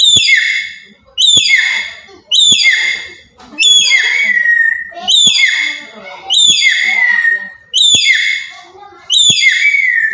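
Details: Papuan black-capped lory calling loudly as a lure for other birds: a steady run of eight raucous, descending screeches with long ringing ends, repeated about every second and a quarter.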